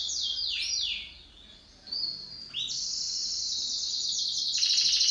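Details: Domestic pet canary in a singing duet: sweeping descending trills, a short pause, then a sustained high rolling tour ending in rapid pulsed notes.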